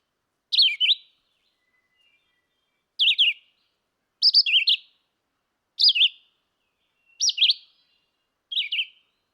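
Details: Red-eyed vireo song of six brief, varied whistled phrases, each slurring up and down, given at irregular intervals of one to two seconds against silence.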